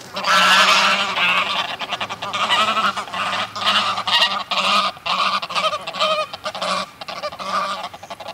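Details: Greylag goose flock heard close up, giving excitable overlapping honking calls with wing-flaps; loud nasal honks stack densely through the whole stretch, broken by brief sharp flapping bursts.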